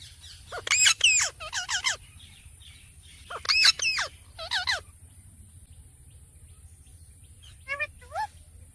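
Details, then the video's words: Parrot from a compilation of Mithu parrots: two clusters of loud, harsh, downward-sweeping screeches in quick doubles, a few seconds apart, then a softer pair of short calls near the end, over a steady high hiss. "Amazing Talking Parrot Compilation 🦜 | Mithu Parrot Funny Moments | Best Parrot Sounds"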